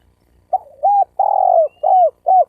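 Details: Full cooing sequence of a spotted dove, meant to provoke fights between males and females: a hesitant opening note, then a long loud coo falling in pitch, then two shorter rounded coos, in a clean, quiet setting.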